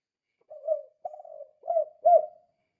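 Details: Spotted dove giving its cooing call to lure or stir other doves into calling: four low hollow coos in quick sequence, the last loudest and arched, over roughly two seconds.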